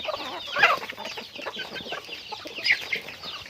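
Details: Chickens going about their daily activity, with two sharp, prominent squawks standing out near the start and near the end over a steady background of softer chirps and clucks.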